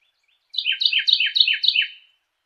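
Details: Carolina wren song with five rapid, slurred, downward-swooping phrases repeated in a regular rhythm for about one and a half seconds; otherwise silent.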